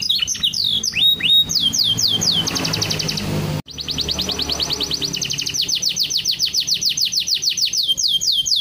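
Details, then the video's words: Canary in full song: loud rapid series of descending whistled sweeps and fast buzzy trills, a brief break, then a long steady run of quick repeated sweeping notes over a noisy background. "KENARI LAGU MEWAH"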